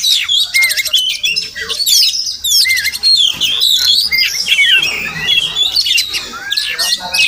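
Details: Morning song of a wild Oriental magpie-robin visiting a home: rapid buzzy trills give way to clear sweeping whistles and chattering notes, delivered in near-continuous varied phrases.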